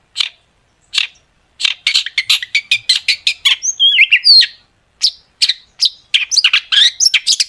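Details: Long-tailed shrike with sharp 'tembakan' shot fills, a lure to get shrikes singing; spaced single notes building into a fast, rhythmic string of scratchy chips with a few warbled slurred whistles, then another rapid run.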